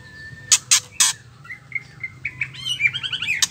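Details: Ketrekan of a female white-rumped shama, a call used to stir males into singing: three harsh raspy bursts in quick succession, then a run of short whistled notes rising into a fast, rolling warbled trill.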